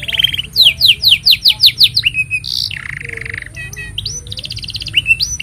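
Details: Canary in continuous song, used to train young canaries and get silent birds singing: a fast series of downslurred chirps, then a loud buzzy note, a low rolling trill, a pulsed rattle and a few bright slurred whistles over a faint high hum.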